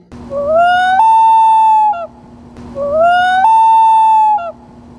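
A loon gives two long, mournful wailing notes, each sliding upward then holding steady for nearly two seconds, with a low steady hum underneath.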